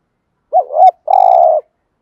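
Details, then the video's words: Spotted dove giving a cooing call: a low, wavering two-part coo followed by a longer, steady buzzy coo held for about half a second; no other sounds. "thuc gu chim cu gay tieng gay goi cu gay kich boi. cu mồi thúc gù"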